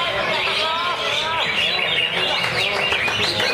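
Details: Caged greater green leafbird, kept in a lovebird cage, singing without a break in 'ngentrok' style; a short run of wavering whistles followed by dense, sharp chirps crowding the high range.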